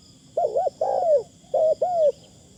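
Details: Decoy spotted dove giving soft, thin coos: two phrases, each a rippling double note followed by a longer drawn-out falling coo, low and mellow against a quiet high background tone.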